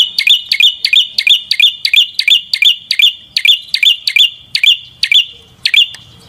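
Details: Rapid prinia song: about thirty crisp, rising chirps delivered almost three per second at a steady pace, slowing toward the end.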